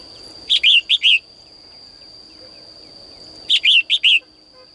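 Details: A female bird sings in its cage in the morning, calling males to sing more; two phrases of four quick, sweet, down-slurred chirps about three seconds apart, over a constant high-pitched hum.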